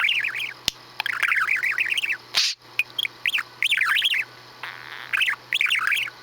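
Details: Male pet budgie, kept since he was three to four months old, doing his usual farty noise repertoire in May 2017: bursts of wavy, looping chirped warbles broken by short pauses and sharp clicks, with a person speaking nearby.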